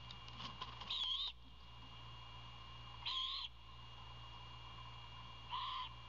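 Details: Young owl begs for dinner as a parent arrives to deliver prey, likely a rodent. It gives three harsh, hissing screeches, each about a third of a second long and spaced a few seconds apart, over a steady background hum.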